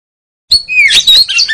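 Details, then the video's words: Oriental magpie-robin (kacer) used as training audio for caged birds, with the ngeriwik singing style: after half a second of silence, a burst of high whistled notes and buzzy, twittering phrases. "TERAPI KACER ANTI LEMOT MENTAL JUARA LANGSUNG NGERIWIK"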